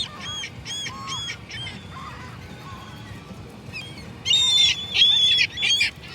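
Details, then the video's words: Gulls giving harmonic, nasal calls in short bursts, about 88 a minute, with a louder, longer run of wailing notes in the final two seconds. "Seagull noises"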